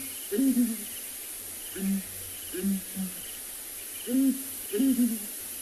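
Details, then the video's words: Southern Ground Hornbill breeding pair, male and female, booming together at dawn in Ngala Private Game Reserve, South Africa; deep hooting booms in pairs and triplets, about five groups, with faint crickets in the background. "and I'm actually going to keep quiet just for a little while, just so you can hear the booming call of this pair."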